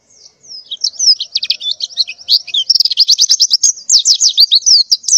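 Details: Female white-eye in breeding condition calling to males in the morning: a dense, rapid run of high, thin twittering chirps and slurred notes, almost continuous and quickening toward the end.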